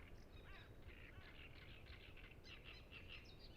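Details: Brief burst of great reed warbler song from the Ema-Joe Suursoo reserve near Lake Peipus: scratchy, chattering notes from more than one bird, faint against low rumbling noise. Recorded using a Zoom F6 and Sennheiser MKH 8040.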